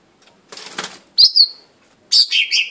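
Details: Blue-winged leafbird (daun sayap biru) making a burst of soft rustling, then bright high chirps in two pairs with falling tails.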